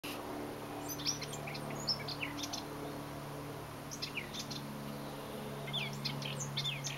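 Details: A Eurasian blackcap singing deep inside a hedge just outside a back door on 21 April 2011: three quick bursts of varied, high warbling notes with short pauses between, over a steady low hum.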